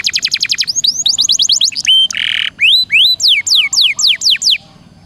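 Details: Canary song on a training recording for songbirds, in long rolls and varied bursts: fast rising and falling whistled trills, a steady high tone, a harsh buzzy burst, then sweeping down-slurred notes repeated rapidly.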